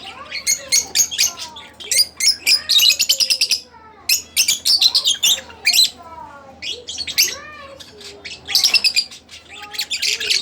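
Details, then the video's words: Split blue Fischer's lovebirds, kept as pets, chirping and singing: dense bursts of rapid, harsh, high chirps and squeaky trills, clustered in runs of one to two seconds separated by brief pauses, with faint lower chattering notes beneath. "lovebirds chirping | singing Sound"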